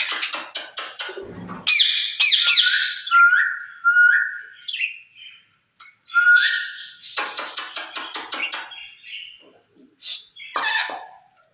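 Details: Caged pair of rose-ringed parakeets talking together: clicks and taps, harsh squawks and level whistled notes in irregular bursts with pauses.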